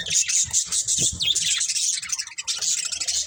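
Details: A family of pet budgerigars keeps up continuous high, scratchy chirping and warbled chatter, with soft low clicks and rustles underneath.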